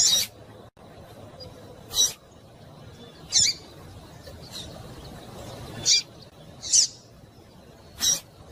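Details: Female double-collared seedeater in breeding condition calling to stimulate males: short, sharp, high chips, mostly single, spaced one to two seconds apart over a faint, steady background hiss.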